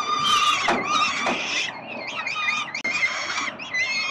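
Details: Peregrine falcon nestlings in Melbourne, Australia, being fed by their father in October 2021. Shrill, squealing begging cries overlap and waver up and down, several young calling at once in a dense, continuous chorus.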